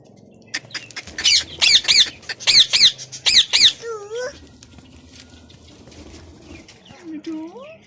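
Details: A talking pet parrot, filmed eating and singing, gives six harsh, buzzy, high chattering squawks in quick pairs, then a few lower rising whistled notes.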